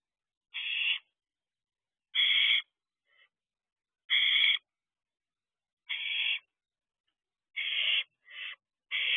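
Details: Barn owl family in an owl box just before 1 am, 6/7/23, giving rasping, breathy hiss-screeches roughly every one to two seconds, some bursts shorter and fainter.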